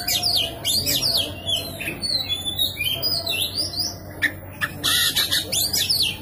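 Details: Oriental magpie-robin singing insistently, played to spur a mute magpie-robin into song: rapid sweeping whistles mixed with harsh buzzy squawks, a rising slurred note, and dense scratchy bursts toward the close.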